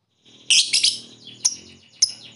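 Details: Lovebird used as a ngekek bait to provoke rivals: a harsh high squawking burst, then a few sharp short chirps separated by quiet gaps.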